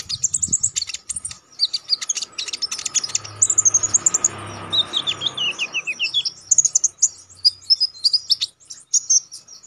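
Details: Sharp, lively konin songbird song for training contest birds. A continuous high chatter of chirps gives way to descending whistled slurs, then quick repeated notes, with a faint low hum behind.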